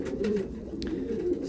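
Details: Kept pigeons during winter mating, cooing in a small enclosed loft. Low rolling coos overlap in a dense murmur, broken by one sharp click partway through.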